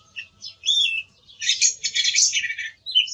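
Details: Song thrush singing: short high whistled and chirped phrases, then a dense, rapid, scratchy run of notes over about a second, with a final bright note at the end.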